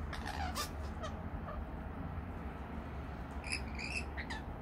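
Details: Rainbow lorikeets taking sweet nectar mix: scattered harsh squeaks at first, then a pair of clear, ringing, harmonic-rich screeches near the end, with a low hum underneath throughout.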